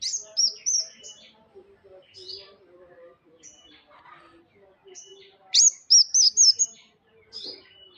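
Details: Songbird singing: short bursts of high, sharp whistled notes, a quick run of four bright chirps near the middle, separated by pauses, over a quieter low hum and faint background chatter.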